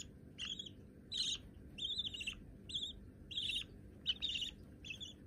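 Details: Hand-tame baby budgerigars, both white, as pets indoors: a run of scratchy chirped calls, some doubled, coming in uneven groups about every half second over faint steady background hum.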